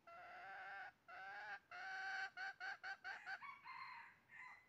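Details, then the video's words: During trapping on 20 January 2023, a red junglefowl gives long harmonic calls, then quickening short clucks about a third of a second apart, ending in a drawn note. "bẫy gà rừng mới nhất 20/01/2023 cuab qaib qus tuaj zoo heev"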